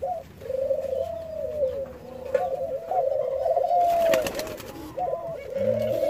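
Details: Hand-fed Jamaican white-crowned pigeons giving long, sustained mid-pitched tonal calls that waver and rise slightly, near-continuous across the recording, interrupted by a sharp clattering knock partway through.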